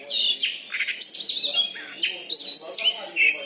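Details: Caged Oriental magpie-robin, a champion from Bengkulu, Indonesia, with a loud voice. Bright high whistled phrases and quick down-slurred notes follow one another rapidly, with faint human voices below.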